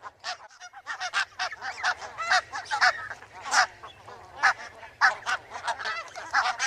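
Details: Barnacle goose calling: a rapid, uneven run of short, sharp yelping honks, some overlapping, with brief pauses between bursts.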